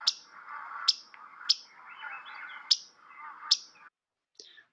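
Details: Yellow-rumped Warbler in spring at Schmeeckle Reserve, central Wisconsin, on migration north, giving its distinct call: sharp, high chek notes, six in under five seconds at an uneven pace, over a soft lower warble of other birds.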